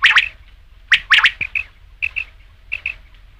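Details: Rain quail calling: sharp metallic notes delivered in quick doubled and tripled bursts, repeated in groups roughly every second, clean and close.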